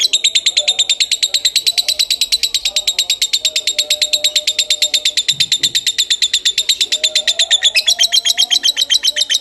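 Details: Lovebird delivering a long Kebon Kopi style song, an unbroken run of rapid, bright, evenly paced chirps that shifts to a slightly higher, buzzier tone near the end, faint voices in the background.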